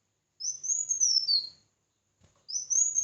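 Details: Red-whiskered bulbul in competitive singing: a bright warbled phrase that rises, wavers high and then drops, followed after a pause by the start of another clear, sweet phrase.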